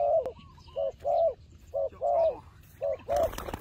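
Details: Turtle dove cooing while fighting, in short and longer purring notes in pairs, roughly one a second. A burst of rustling noise comes near the end.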